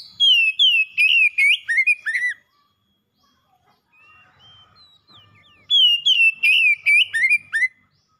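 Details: Lure song of a pet oriental magpie-robin meant to restart a caged bird that has stopped singing: a two-second volley of bright whistled notes and twisting slurs, a quiet gap with a few soft notes, then another loud whistled volley.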